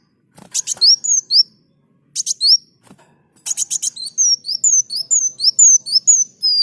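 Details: Sunbird (kolibri daun) singing actively, recorded as a tutor song for training other birds: bursts of rapid, very high chirps, then a long run of clear, slurred whistled notes that sweep up and down. The notes repeat briskly, with short pauses between phrases.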